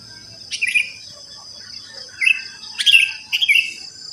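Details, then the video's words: Sooty-headed bulbul song after dawn in a housing complex full of these birds. Brief chirpy, warbled phrases are given in scattered bursts, the last three close together, over a constant shrill insect hum. "Pancingan Ampuh untuk Terapi Burung Kutilang Malas Bunyi"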